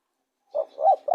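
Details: Spotted dove cooing: three soft, low hooting notes in quick succession, the middle one slightly longer and rising then falling, on a clean, otherwise silent background.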